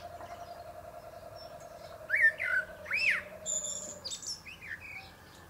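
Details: Male common blackbird singing atop a pear tree: a few mellow, fluted warbling phrases after two seconds, then a thin, high twittering flourish. A steady, low pulsing drone runs underneath for the first four seconds.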